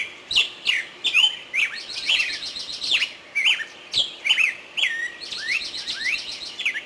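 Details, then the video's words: Several birds sing in woodland, sharp ticking notes and slurred whistles coming in quick bursts, with buzzy trilled phrases between them. "Пение птиц в лесу"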